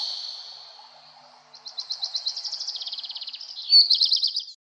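A redstart sings a high thin opening note, then a quick run of about twenty repeated chirps that speeds up and ends in a brief scratchy flourish.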